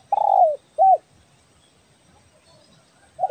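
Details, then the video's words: Kepri spotted dove of the belah dada type, calling for luring: a long, slightly descending coo followed by a short arched hoot, a pause, then another brief coo starting. "SUARA BURUNG TEKUKUR BELAH DADA GACOR BAGUS BUAT PIKAT"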